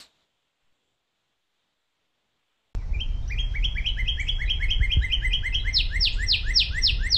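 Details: A Northern Cardinal, a backyard bird of eastern North America in spring, sings bright, clear slurred whistles, a quick run of repeated notes that speeds into a higher, louder series, over a low background rumble.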